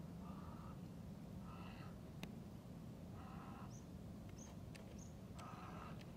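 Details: Goosander (Mergus merganser) at Izliv Soče nature reserve, Slovenia, on 15 February 2024, gives four hoarse, croaking calls a second or two apart over steady wind rumble, with faint high chips from a small bird.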